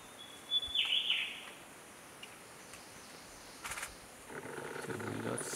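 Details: Short-tailed scimitar-babbler (Napothera danjoui), relaxed and unbothered while orange-headed thrushes and thrushes chase nearby, gives a thin high whistle running into a quick burst of bright, falling notes, heard once; rustling and background noise follow.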